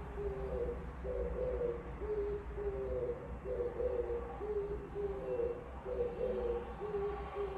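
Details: Outside a window, an Oriental turtle dove repeats its low cooing song, with clear phrases of two or three husky, muffled notes following one another every second or so over a quiet, steady low hum.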